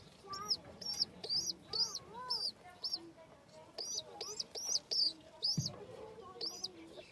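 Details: Domestic pigeon chicks during feeding give bursts of thin, high, arched squeaks in quick clusters. Lower curved whistling notes and a brief voice are heard in the background.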